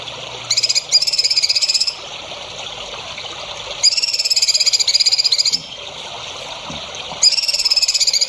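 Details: Songbird song from a tutor recording for training young songbirds: three bursts of a fast, high, buzzy trill, each lasting one to two seconds and separated by short pauses, over a steady background hiss.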